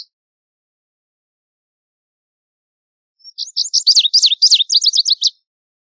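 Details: After silence, a Lazuli bunting delivers a two-second song of quick high chirps ending in a tight run of repeated sharp zigzag notes.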